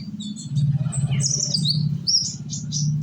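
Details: Sunbird from Indonesia, a young bird used as a singing lure for others; brief, high, sweeping chirps and trills over loud low-pitched humming.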